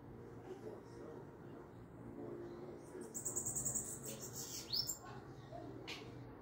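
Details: Sibito song used to excite other sibitos: one short burst of very high, rapidly repeated notes followed by a quick sweeping whistle, with a low continuous hum beneath.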